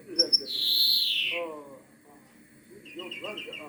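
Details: European greenfinch song: after two sharp high clicks comes a long buzzy wheeze sliding downward, then a rapid run of short repeated notes, with soft talking beneath.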